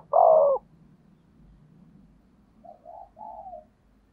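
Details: Spotted dove giving a lure call to draw in wild doves: one loud, low, hoarse coo note, then a pause and three softer, shorter cooing notes, with faint low background hum.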